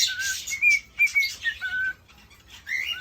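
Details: Male cockatiel whistling to court a female in a cage: a few short level and falling whistles with harsh chatter around them, a brief quiet gap, then one more rising whistle.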